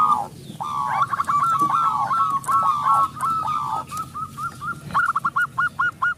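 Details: Strong-voiced local zebra dove song meant as a lure for silent doves: continuous overlapping rapid cooing notes, then a clear run of evenly spaced hooked notes near the end, over steady background noise.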